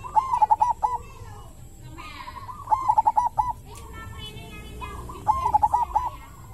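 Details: Zebra dove of local wild stock giving a deep, resonant mojopahit-style song. Three loud phrases of quick, bubbling coo notes come roughly every two and a half seconds, separated by quieter cooing, over a steady low background hum.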